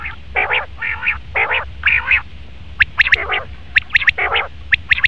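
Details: Male common quail's crisp three-note calls in the second half, preceded and interrupted by loud harsh nasal squawking bursts from another bird, over low background rumble.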